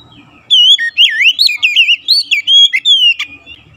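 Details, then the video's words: Oriental magpie-robin song played to stimulate caged birds: loud, clear, rapidly looping whistles, each note swooping up and down, delivered in a lively run of around a dozen notes before a brief click. "pancingan Kacer"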